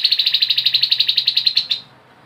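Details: A Grey-headed babbler's ngebren trill: a dense, quick series of buzzy pulses lasting under two seconds before trailing off into quiet.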